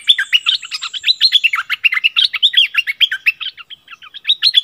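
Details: Decoy streak-eared bulbul, February 2021, delivering a continuous, fast stream of sharp chirps and short warbled notes that rise and fall quickly, about eight notes per second, over a faint thin high whistle.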